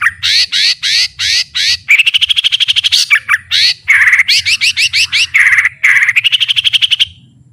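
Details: White-rumped shama with a full varied song used to train other shamas: bursts of rapid, buzzy, repeated notes alternating with loud rising whistles, dense and energetic throughout, low hum beneath, stopping abruptly near the end.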